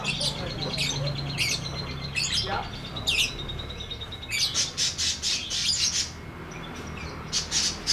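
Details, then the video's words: Lovebird 'ngekek' bout from a tutor recording for lovebirds that have stopped singing: several harsh, rising chirps, then a dense run of loud, rapid squawking pulses. "MASTERAN LOVEBIRD NGETIK NGEKEK PANJANG FULL DURASI!!"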